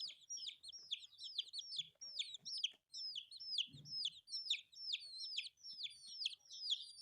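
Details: Baby chicks feeding on rice peep loudly and rapidly, about two notes a second from each bird, high downslurred cheeps crowding together, with a short low thump partway through and light pecking sounds.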